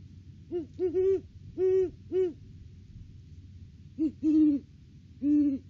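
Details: Great horned owl pair duetting at their nest tree in the off-season, December 3, 2022, on a live cam: deep low hoots in clustered bursts, two or three quick notes then longer ones, with gaps of silence between phrases.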